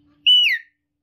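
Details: Captive talking hill myna giving one bright, clear whistle that stays steady and then drops in pitch at the end, with quiet surroundings.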